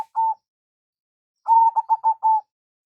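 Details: Zebra dove from a local perkutut lure recording: one short coo, a pause, then a brief run of five quick coos ending on a held note.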